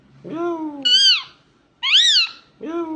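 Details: Talking Indian ringneck parakeet in a small room, giving loud, harsh, strongly harmonic squawks and whistles that rise and fall, four calls in three seconds with short gaps between them.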